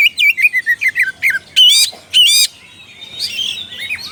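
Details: Oriental magpie-robin calling to a rival: a run of about eight quick descending whistled notes, then two harsh buzzy bursts and softer twittering, high-pitched and fast.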